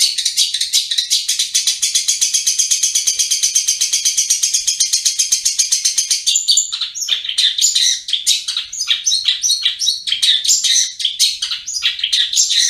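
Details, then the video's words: Long-tailed shrike in 'ngriwik' style: a long rapid buzzing rattle of tightly repeated high notes lasting about six seconds, then broken, varied scratchy chatter and squeaks. "Masteran Cendet Full Gacor Ngriwik"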